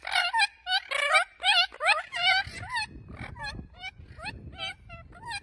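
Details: Spix's macaws, a species extinct in the wild, calling out to one another: a quick series of loud, harmonic, wavering squawks, some rising and some falling, repeated about twice a second. Softer low rumbling sounds fill the second half.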